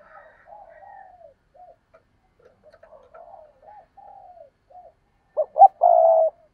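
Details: Spotted dove with a run of quiet, wavering low coos, then a loud finishing phrase of two short hollow notes and one long, even coo.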